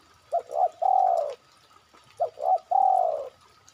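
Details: Spotted dove call used as a lure to draw other birds into calling: two short soft notes, then a longer drawn-out falling coo, repeated twice in under four seconds over a quiet background.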